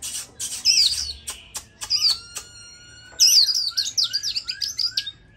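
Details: Caged Oriental magpie-robin, five days after being bought, sings excitedly in response to a played hwamei recording: bright, high, varied whistles, sweet slurred notes and a few sharp clicks, then a rapid run of rising and falling warbled phrases.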